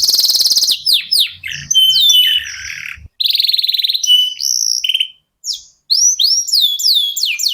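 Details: Local canary singing actively as a lure for other cage birds. A buzzy trill and sliding whistles come first, then a rolled trill after a pause, and scattered rising-falling whistled phrases close the clip.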